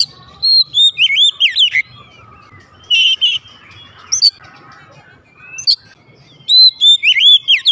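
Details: Loud, vigorous answering song of a kept oriental magpie-robin: a warbled whistle phrase, scattered sharp high chips and a final rapid run of looping, rising-falling whistles.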